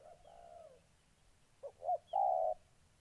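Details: Spotted dove, a molting caged decoy, facing an aggressive wild rival in Gia Lai, Vietnam, on 14 August 2020. A soft distant coo comes first, then a clear phrase of two short hoots and one long, level coo.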